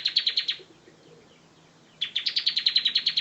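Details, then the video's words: Bar-winged prinia singing: rapid bursts of high, buzzy chirps, about six to eight per second, separated by pauses of about a second and a half. "BIRD CHIRPING BAR-WINGED PRINIA SINGING"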